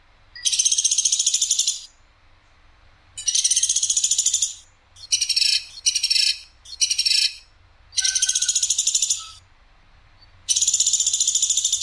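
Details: Platuk sampit woodpecker with a clear, sharp, harsh voice, repeating dense buzzy rattles. Six bursts, most about one to one and a half seconds long, come at irregular gaps, and the middle ones are shorter and broken.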